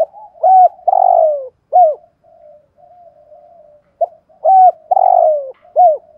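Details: Spotted dove decoy bird of the 'giọng thổ' voice style, cooing and calling. Two full phrases of low, mellow coos: a short note, a hooked coo, a long drawn falling coo, then a closing hooked note, separated by a soft murmur.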